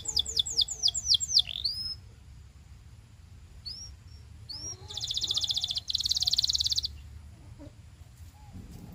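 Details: Belgian canary singing, recorded for training young canaries: a quick series of high downslurred whistles, a few brief rising notes, then a long, fast, buzzy trill delivered in two bursts, over a steady low background hum.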